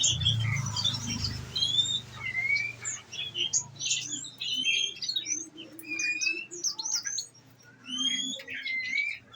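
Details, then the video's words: Nectar-fed caged olive-backed sunbird delivering its 'nembak' shooting-style song: a stream of thin high whistles and quick chirps, some rising and falling, spaced irregularly, over a faint low hum. "Enaknya ngerawat konin !!! tinggal dikasih makan !!! bunyi nembak nembak deh"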